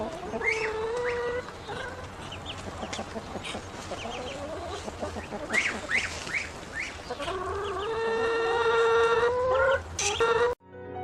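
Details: Hungry grown ducklings: many quick high peeps and chirps, then a long reedy whistle lasting a few seconds that rises slightly before ending, with more calls overlapping.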